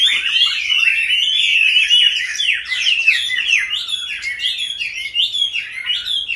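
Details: Captive Chinese hwamei, one of several birds kept since being caught wild, now in a fifth year, giving a vigorous medley of sweet whistles and quick chattering notes, loud at first then slightly softer.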